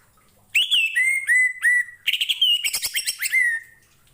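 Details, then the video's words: Orange-headed thrush singing a master phrase for training other birds: a run of clear, slurred whistles that fall and level off, repeated four times, then a faster stretch of buzzy, scratchy notes ending on another whistle. "KICAU ANIS MERAH"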